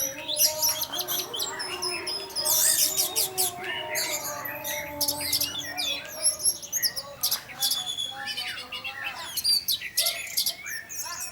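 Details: Orange-headed thrush in teler style, meant to make other thrushes sing too: loud clusters of harsh chirps and whistled notes in bursts, thinning toward the end, over faint background hum.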